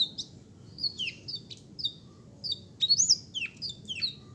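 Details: Black-throated canary giving spaced, high sliding whistles and chirps in loose phrases, a steady low hum of background noise throughout.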